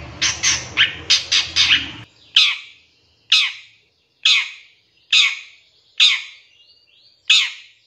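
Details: Long-tailed shrike in a lure recording with 'tembakan' filling: a fast burst of raspy notes, then single loud harsh squawks spaced about a second apart.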